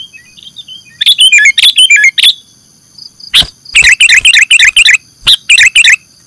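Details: Sooty-headed bulbul, the kutilang of Indonesia, in a lure recording for catching birds: bursts of sharp, chattering chirps in quick clusters, with short whistled notes at the start and steady high tones running behind.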